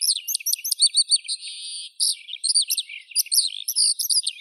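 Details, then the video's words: High, lively skylark song opening with a run of repeated sharp chirps, a short steady buzzy note, then a jumble of quick varied trills. "Skylark Birdsong"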